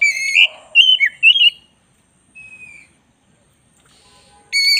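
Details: Oriental magpie-robin, black-breasted type, in vigorous tutor song. Three loud whistled phrases open, followed by a soft, long whistle, then near silence before a strong note at the end.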